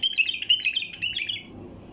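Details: A wild bulbul's flight call for drawing in passing flocks: a rapid, scratchy chatter that is already under way at the start, continues for about one and a half seconds, then fades into quiet hum.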